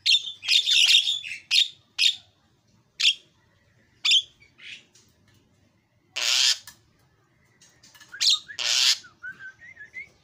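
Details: Energetic Javan myna giving loud harsh squawks and rasping notes in irregular bursts, with two long broad hissing screeches and a few thinner whistled notes near the end.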